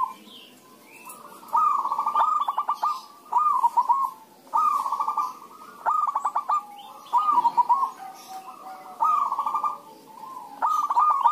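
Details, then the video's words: Zebra doves answering one another in a lively chorus, used to coax other doves to sing. About eight quick rattling bursts of clipped coos come in steady succession, with fainter cooing underneath throughout. "pancingan suara perkutut rame"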